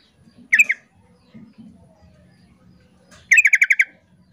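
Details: Sooty-headed bulbul female calling the male, the pair answering back and forth: a short burst of two or three sharp notes, a pause with low background rumble, then a rapid run of six clipped notes.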